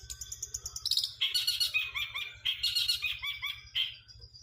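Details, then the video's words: Long-tailed shrike delivering sparrow-mimicking song material: rapid, busy chattering of bright chirps and short down-slurred notes, with a brief squeaky flourish near the end and a constant low hum underneath. "Cendet materi Greja kuntilanak"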